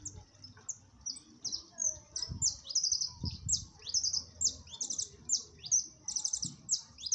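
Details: Siskin (jilguero amarillo) singing in the 'máquina' song style on a cold day: rapid run of high, sharp twittering notes, slurred chips and buzzy trills in a steady string, with faint low rumble behind.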